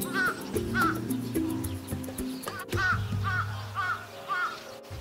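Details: Carrion crow giving a run of about six hoarse, harsh caws spaced roughly half a second apart, the first calls partly buried under background music that drops away midway through.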